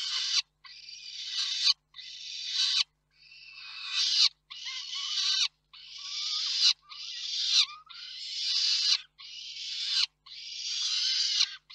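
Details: Peregrine falcon parents exchange food at their Reda nest on 4 May 2023. Long, rasping wails, each around a second long, repeat steadily with short gaps and swell louder toward their ends.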